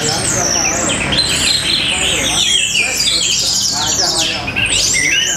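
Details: Matrix-style singing from an orange-headed thrush in Bali: a rush of high, sweeping whistles and rapid twittering that climbs and falls in quick phrases with no silent gaps, over low background noise.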